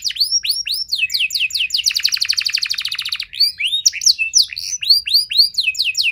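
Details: Canary performing a lure song for other canaries to reply to: swooping whistled notes lead into a dense, fast rattling trill, followed by more rising and falling slurs.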